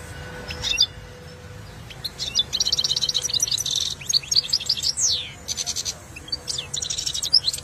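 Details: Caged European goldfinch trained in the saira singing style: after a quiet start, rapid bright twittering bursts and buzzy trills come in dense runs from about two seconds on, with faint low room hum beneath.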